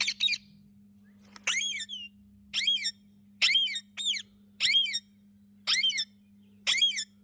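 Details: Rose-ringed parakeets kept as pets, blue and green ringnecks, calling naturally: sharp, high, chattering double notes repeated roughly once a second, with a faint electrical hum throughout.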